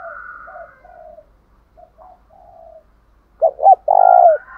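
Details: Quiet overlapping dove coos open, then the decoy spotted dove breaks in with its loud fighting coo, two clipped notes and a long ringing coo, meant to make other doves respond.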